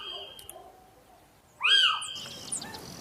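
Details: Little owl, a hole-nesting bird of Spain, giving one loud, mewing call that rises then falls and lasts about half a second. It follows a quieter steady whistled tone and is trailed by faint chirps.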